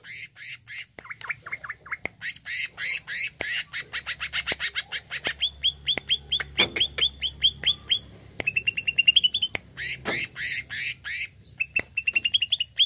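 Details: Greater green leafbird singing to provoke a kept leafbird: a long, varied stream of harsh chattering bursts, sharp clicks and rapid series of whistled notes, including quick rising trills and downslurred chirps.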